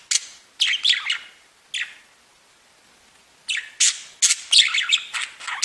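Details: Budgerigars give a few scratchy squawks and chirps, fall quiet for more than a second, then burst into a busy run of harsh, buzzy chattering calls.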